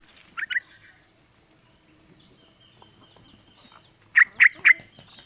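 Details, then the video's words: Female yellow-vented bulbul (trucuk) calling to the male, used as a lure to make males sing: two short bubbly notes, a pause, then three quick rich notes, over a steady high-pitched whine. "Trucuk Betina MEMANGGIL JANTAN ‼️Suara Trucukan BETINA ini Mampu Untuk Pancingan Trucuk Agar Bunyi"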